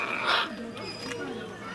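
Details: Military macaw (blue-green macaw) at Izu Shaboten Zoo, Shizuoka, Japan, 22 April 2018, gives one brief, harsh, raspy squawk, followed by quieter chatter and human voices in the background.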